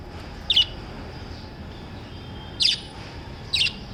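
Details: Lovebirds chirping: three short, sharp high chirps, one early, then two close together near the end, each a quick bright burst over a faint steady background hum.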